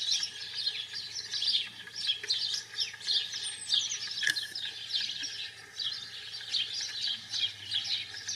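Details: European goldfinch of the British subspecies heard in the wild, pouring out a lively run of high, tinkling twitters and chirps in rapid bursts that rise and fall in loudness, with a faint low hum underneath.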